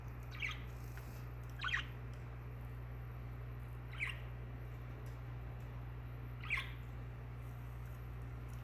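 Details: Coco, a pet albino budgerigar, while bathing, gives a few short, scratchy chirps spaced a couple of seconds apart over a steady low hum.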